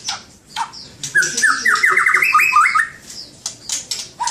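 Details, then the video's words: White-rumped shama singing a varied phrase: sharp high chips and clicks, then a run of rapid rising whistled notes around the middle, followed by more scattered high chips. "kicau burung murai batu master"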